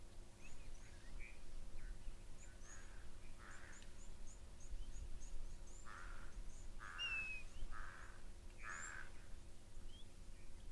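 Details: At an African waterhole on 31 May 2024, an African grey hornbill gives a series of plaintive, raptor-like whistled notes, often confused with birds of prey, spaced a second or so apart, over a low rumble and faint small-bird chirps.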